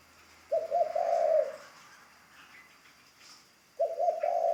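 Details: Decoy spotted dove under training giving two soft, vibrating low coo phrases about three seconds apart against a light background hiss and faint high hum.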